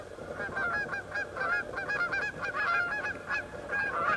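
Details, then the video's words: Canada geese honk loudly and continuously in a dense, harsh, nasal, agitated chorus as two geese fight after ten minutes tangled up, while three other geese and two loons come to separate them. "Canada geese fighting"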